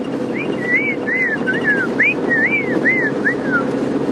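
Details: Black-crowned tchagra (Tchagra senegalus), a shrike-family bird, sings a run of clear, slurred whistles, rising and falling, over a low vehicle hum on an October 9 sunrise game drive in the Greater Limpopo Transfrontier Park, spring to early summer.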